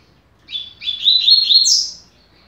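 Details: Tutor song for young birds from a double-collared seedeater in the 'rápido de bico' style: a single fast, high twittering phrase that begins with short notes, runs into a rolling chatter and ends on a higher, slurred note.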